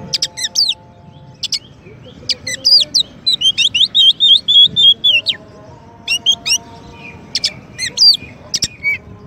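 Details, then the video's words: Oriental magpie-robin champion singer, a master song for teaching white-rumped shamas: sharp high clicks and chips, then a fast run of repeated whistled wavering notes, then more scattered chips and short whistles. "Kacer Juara untuk Masteran dan Pancingan murai batu"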